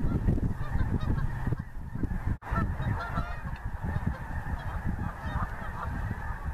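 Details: Flock of geese passing over the Missouri, honking in an uneven, overlapping stream, with a brief break in sound partway through and strong low rumble in the background.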